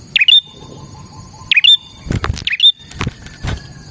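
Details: Bar-winged prinia in full, energetic song, used to lure other prinias: three sharp chirps, each dipping then flicking up into a thin high whistle, about one every second, amid broadband knocking noises and a low background hum.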